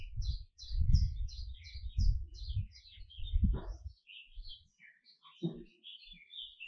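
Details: Singing canary delivering quick runs of high chirps and warbled notes, then sparser twitters, accompanied by low bumping and rustling sounds.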